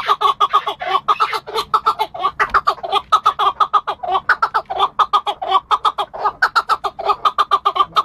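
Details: Chukar partridge calling, linked to hunting: a long run of hoarse, clucking chuk notes repeated more than once per second in an uneven but steady rhythm.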